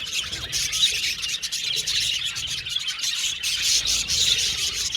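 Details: Budgies calling together in an aviary colony, an even, busy stream of shrill chirps and chatter with little pause, punctuated by short clear whistled notes.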